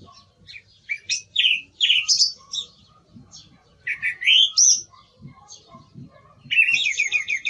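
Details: Varied song of a song thrush: sharp whistled and rising phrases in separate bursts, closing with a rapid trilled repeated figure, faint other birds behind.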